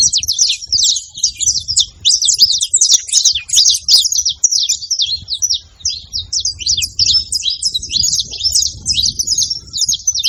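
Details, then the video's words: A crowd of saffron finches noisily calling together: a long, dense chorus of high, rapid chirps and twitters, pulsing in loud bursts with short dips, over faint low background noise. "Canário da terra junto fazendo barulho"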